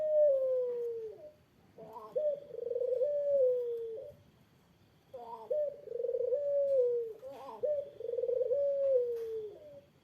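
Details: Eurasian collared dove calling to provoke a rival's response: a series of rolling, purring coos, each starting with a short rising note and then sliding gently downward, with brief pauses between phrases.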